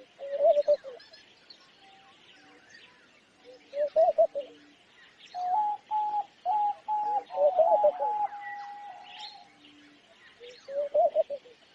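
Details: Repeated throaty, wavering coos from a homing pigeon, arriving in clusters of quick pulses every few seconds, over a busy background of high chirping songbirds.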